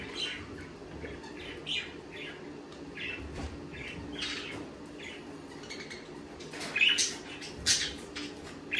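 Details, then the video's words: Budgerigars give a steady stream of short, scratchy chirps and squawks, overlapping chatter that carries throughout, with a few louder sharp squawks near the end over a faint background hum. "Sonidos de periquitos Australianos"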